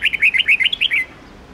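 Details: Red-whiskered bulbul singing a mature wild 10-12-13 note song meant to train young birds: a fast, tumbling series of about nine sweet whistled notes ending in a slightly lower slur.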